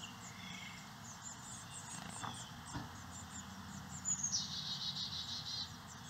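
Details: Carolina Chickadees feeding their nestlings insect eggs and larvae in St. Cloud, Osceola County, Florida, giving rapid, very high thin chips, then a harsh buzzy hiss near the end, over a steady low background hum.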